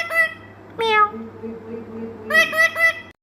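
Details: Pet Indian ringneck mimicking speech: a drawn-out, even-pitched voiced tone between clusters of harmonic, syllable-like squawks, with a faint background hum.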